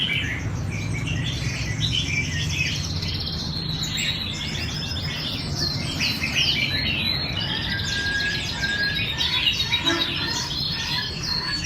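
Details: Red-whiskered bulbuls in Vietnam practising for a singing contest: many overlapping bright chirps and rapid warbled phrases, some in quick rattling series, over a steady low background rumble.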